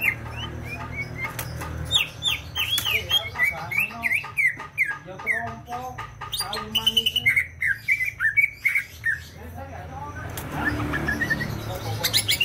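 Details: Greater green leafbird from Banyuwangi, East Java, singing vigorously: a long run of slurred whistled notes, many dropping in pitch, delivered in quick bursts, with a steady low hum beneath and a noisy stretch near the end.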